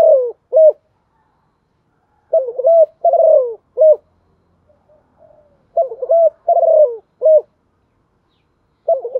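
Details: Calling decoy spotted dove with a rustic field-blended voice used to provoke wild birds; repeated groups of three coarse coos, middle note long and sliding down, about every three seconds with quiet gaps.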